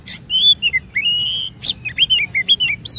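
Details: Oriental magpie-robin song meant as a lure to make other magpie-robins sing long, varied phrases: clear whistled notes, some held and flat, others sharply rising or falling, mixed with brief harsh clicks over low background rumble.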